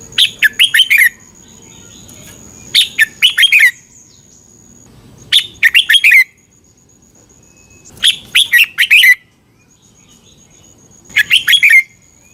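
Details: Song of the red-whiskered bulbul, played in Thailand to coach or excite caged birds: five lively phrases of fast, rising-and-falling whistled notes, about one every two and a half seconds, a thin steady tone behind.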